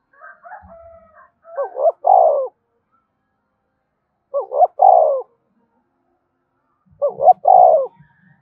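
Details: Captive spotted dove in prodding coo meant to set newly caught birds calling all day: faint chirps, then three phrases spaced about every two and a half seconds, each two clipped notes leading into a drawn-out mellow coo.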